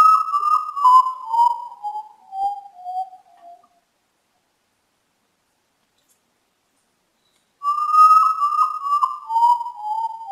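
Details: Common Potoo (urutau) singing at night, around midnight: a slurred whistled phrase sliding down through several notes, fading away, then after about four seconds of silence the falling phrase repeats.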